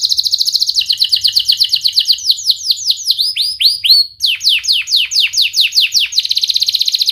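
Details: Canary song used as a lure to teach young canaries to sing: fast, dense trills of sharp high notes, then a run of steep downward-sweeping whistles repeated quickly, ending in a rapid buzzy trill.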